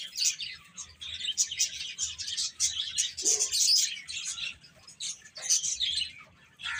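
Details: Chicken chicks eating and playing, a steady flock chatter of rapid, high, overlapping chirps with brief pecking sounds throughout.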